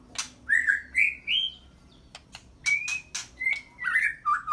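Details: White-rumped shama (murai batu) kept at a bird farm in Medan, singing a series of whistled phrases, each rising or level, mixed with sharp clicks and ticks, over a steady low background hum.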